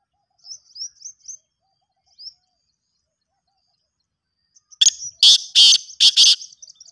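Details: Thin high chirps from a small bird come first, then a pause, then a black francolin (kala teetar) gives its loud rasping call of about five grating bursts in quick pairs, followed by more faint high chirps.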